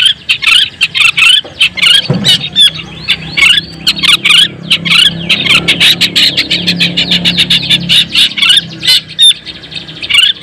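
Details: Long-tailed shrike, white-breasted Madura type, singing to provoke other shrikes: dense run of harsh, rapid chattering notes and scratchy squeaks, strung almost without pause, with a faint low hum beneath.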